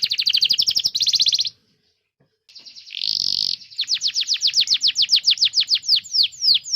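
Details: Energetic canary song used to coach young canaries and non-singing birds: buzzy rolling trills, a short pause, a harsh burst, then a long run of quick repeated rising chirps.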